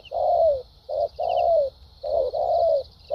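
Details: Spotted dove, a wild-caught bird kept as a 'đồng' caller in Vietnam, cooing in the structured 'bài bản' style with 'thúc gù' and 'lèo dặm' phrases: low mellow coos falling at the end, about one per second, under a steady high buzz.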